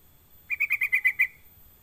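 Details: Sooty-headed bulbul lure call meant to get other bulbuls calling: seven rapid, bright, bouncing notes in a tight even series, with a faint low hum behind.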